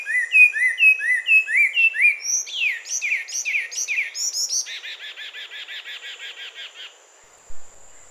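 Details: Carmiol's tanager song: a run of rising whistled notes repeated about twice a second, then downslurred notes, ending in a fast, buzzy, even trill that fades out.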